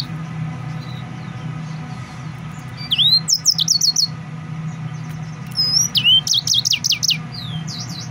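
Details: Excited male yellow-fronted canary giving two bursts of fast, high, trilled chirps with upward-sweeping whistles after a quiet start, against a constant low background hum.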